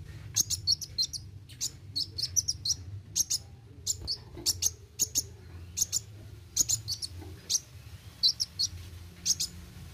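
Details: Brown-throated Sunbird (kolibri wuling) delivering irregular bursts of sharp, high chips and twittery doublets, spaced roughly a second apart, with a persistent low hum underneath.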